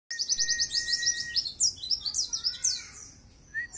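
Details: Caged dakun white-eye with its tail spread, singing in a relaxed 'wit wit' bursting style, used as a lure and song tutor for other birds. The song is a fast run of high chirps and trills, with a long steady lower whistle underneath and a short whistle at the end.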